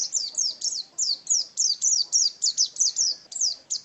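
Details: Caged white-eye (pleci), a favoured contest bird: clear, high chirps that rise then drop steeply, repeated roughly three times a second in a lively twittering string.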